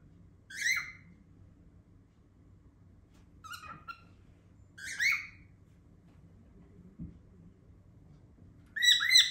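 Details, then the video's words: Pet cockatiel in a room giving short, sharp chirps spaced a second or more apart, four brief calls over nine seconds with near silence between them. "Cocktails makes loud noises"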